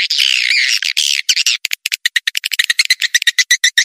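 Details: Swiftlet lure call used to attract swiftlets, said to work in many places including wild forest near swiftlet houses: dense harsh buzzy chattering that breaks into rapid clicking twitters, about six per second.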